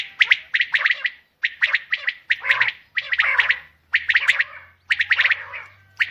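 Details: Female common quail uttering grating, gargling bursts, each a tight cluster of rasping notes, about once per second, over a faint low hum.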